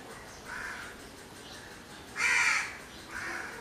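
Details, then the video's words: Three hoarse crow caws in quick succession, a soft one, a loud harsh middle caw, then a moderate final one, against quiet outdoor hiss. "Crow bird sounds or noises."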